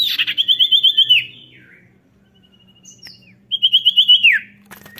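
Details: Hard-singing Common Iora, a recording meant to prompt lazy birds: two fast trills of bright whistled notes, each sliding down at the end, with a few faint soft notes in the gap between them.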